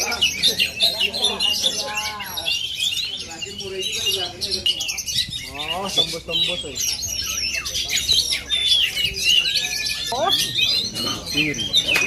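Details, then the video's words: Long run of rich, rapid song from an Aceh oriental magpie-robin: whistles, trills and scratchy notes pour out without pause while several people converse nearby. "Aksi kacer asli aceh"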